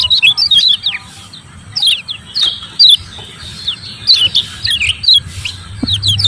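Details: Lemon-bellied white-eye ciak ciak calling, used to get reluctant birds to sing: short groups of two to four high, sharp chirps, repeated at roughly one-second intervals, over faint low background noise.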